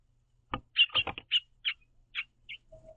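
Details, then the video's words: House finch pair perched on a backyard platform feeder, hopping on and off while eating seeds and chirping to each other; short, scattered high chirps with a few knocking feeder sounds and a low note near the end. "House Finches Happily Chirping To See The Green Bird Feeder"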